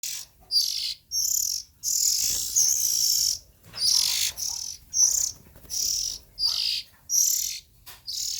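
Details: Young Oriental magpie-robin nestlings calling: harsh, hissing bursts, high and broadband, about a dozen rasps lasting half a second to a second, separated by brief silences, with no other clear sounds.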